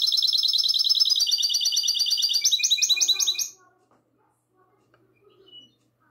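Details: Goldfinch hybrid in classic song, recorded on the night of 22 March 2020. A loud, rapid, buzzy high trill runs for about three and a half seconds and shifts pitch near its end, then gives way to near silence with faint soft notes.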